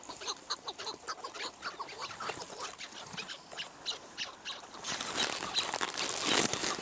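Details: Chukar partridge giving rapid, harsh, clucking calls, about three or four a second, in an uneven run; the chorus swells into a louder, noisier burst toward the end.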